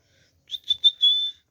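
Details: Rose-ringed parakeet (Indian ringneck, pet talking bird) giving three clipped high notes, then one longer, steady whistled note; mimicry.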